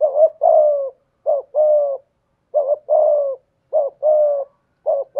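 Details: Decoy spotted dove with a 'thổ' style voice, delivering five rhythmic phrases, each a quick wavering coo followed by a longer, smooth, gently falling coo, spaced about a second apart.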